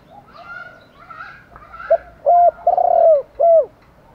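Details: Morning call of a decoy spotted dove luring wild doves. Faint higher bird notes come first, then a four-part phrase: a brief coo, a steady coo, a long burred descending coo and a closing downslurred note.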